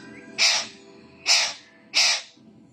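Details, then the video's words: Alexandrine parakeet imitating a cough and a cat's meow: three short, harsh, raspy bursts spaced about 0.7 seconds apart, loud and close, over a faint low background hum. "Alexandrine parrot making cough sound and saying meaow"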